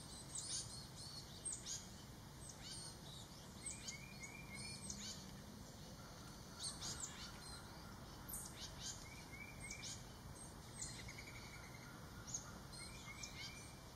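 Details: Juvenile tufted titmice, brought by their parents to the woods' edge and feeders in early summer (July 2024, southern Maine), give scattered short, high chips and thin notes every second or so, over a steady high insect-like whine and faint low rumble.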